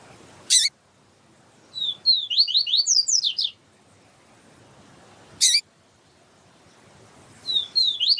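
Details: Yellow-bellied seedeater tutor melody, with a female calling to excite the male: fast bursts of upward-slurred whistled notes, repeated in two phrases. Sharp broadband clicks sound between the phrases.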